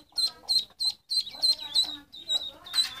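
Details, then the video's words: Several ducklings peeping: bright, high piping notes in quick succession, about three per second, with overlapping softer calls toward the end. "Silly ducklings Chirping Sounds"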